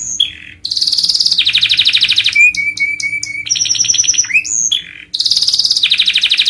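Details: Canary singing in a master recording for training birds: high whistled notes, a rolling trill, clipped repeated whistles, then another buzzy trill after a short gap.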